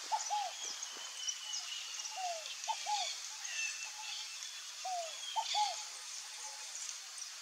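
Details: Scaled dove calls: low coos in a falling note plus short second note, repeated three times across the clip, with soft high bird chirps and background hiss.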